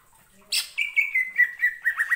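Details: Brief greater green leafbird lure phrase in ngentrok style: one harsh burst followed by a quick string of short, even whistled notes held near one pitch.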